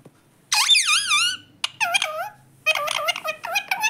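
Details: Pet talking parrot indoors giving wavering, squeaky, voice-like calls in short bursts, with a low hum in the background.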